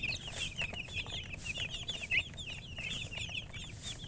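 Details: Baby chicken chicks chirping: continuous high, short peeping notes overlapping rapidly, several birds calling at once, with a low background rumble.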